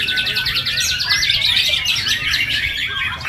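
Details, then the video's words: White-rumped shama song: a continuous, rich stream of rapid trills and quick repeated chattering notes mixed with clear sliding whistles, lively and unbroken throughout, over a faint low hum. "murai batu"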